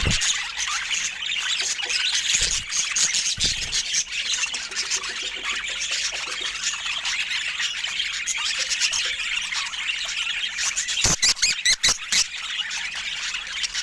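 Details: Pet budgerigars keep up steady high-pitched chirping and squeaky warbling throughout, a busy overlapping flock chatter, with a short run of sharp clicks near the end.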